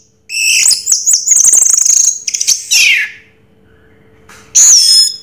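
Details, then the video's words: Orange-headed thrush singing in the 'raja teler' style: a bright, rapid tumble of high whistled and chattering notes, then a brief pause and a sharp, sliding whistle at the end. A faint steady hum sits underneath. "Suara Burung Raja Teler Anis Merah"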